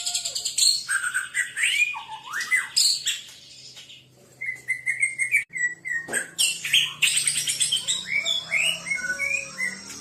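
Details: Murai batu, the white-rumped shama, singing energetically: bursts of varied whistled and chattering phrases, a run of short repeated notes midway, then rising and falling slurs, over a faint low hum.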